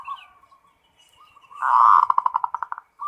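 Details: Zebra dove, local bird, performing the full ngerot song said to trigger breeding drive: a soft, wavering low trill, then a loud rolling burst that breaks into rapid, evenly spaced pulses.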